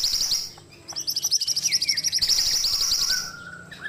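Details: Ashy tailorbird, the mantenan, in vigorous song: a long, fast series of high, sharp, repeated chips running into a buzzy trill, followed by a soft lower whistle at the end.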